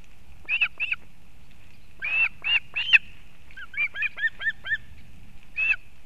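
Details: Female osprey bringing fish to her chick at a nest in Kurzeme, Latvia, on 31 August 2024, seen on a live nest camera: scattered short whistled chirps in small clusters, some with a lower second note, over faint low rumble.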